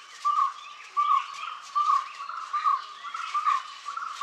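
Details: Red spurfowl giving its typical call, described as including ker-wick and harsh karr notes. A mid-pitched, clipped two-part note repeats steadily about every 0.8 seconds, with faint twittering from other birds behind it.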